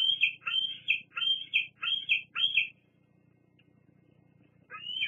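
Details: Bald eagle at the Fraser Point nest on 08-08-22, squeeing at other eagles at the nest. Five high, squealing notes come in quick succession, each a sharp drop and rise, then a pause and one more squeal.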